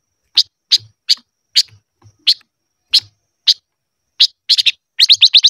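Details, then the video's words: Silver-eared mesia, voice training in the 'ché' song style: evenly spaced sharp high chirps roughly every half second, quickening into a fast stuttering run at the end. "Chim ngũ sắc hót hay luyện giọng - ngũ sắc hót ché / tsheeb quaj"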